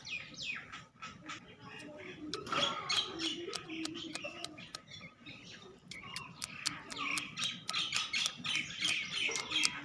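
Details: Young black francolin chick of the Sindhi breed: high, thin peeping chirps repeated quickly and unevenly, sometimes clustered in bursts, with sharp clicks and faint low background noise.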